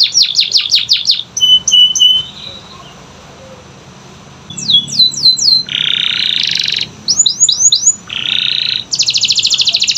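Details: Canary song played to prompt silent canaries: fast falling notes, short whistles, separate buzzy bursts and a rapid trill, broken by a quiet gap.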